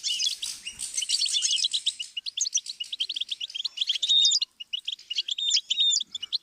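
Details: Learning-stimulus recording of a goldfinch: energetic, buzzy twittering at the start that breaks into clipped chirps and thin whistled slides, the song running almost without pause.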